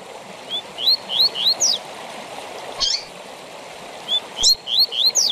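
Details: Double-collared seedeater, tui tui zel zel song for training captive birds: three or four clear rising whistles lead into a sharp descending note; the phrase comes twice, with a brief buzzy burst between, over background hiss.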